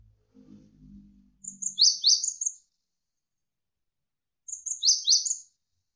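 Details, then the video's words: Javan sparrow tutor recording for training songbirds: two short bursts of high, sweeping chirps, each a cluster of four or five notes, separated by a three-second silence, after a brief low murmur at the start. "MASTERAN GELATIK WINGKO Gacor"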